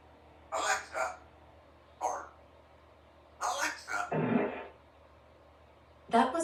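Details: Female Congo African grey parrot, aged three, living in a country home, rehearsing words indoors: scattered husky spoken syllables and one longer breathy raspberry-like noise.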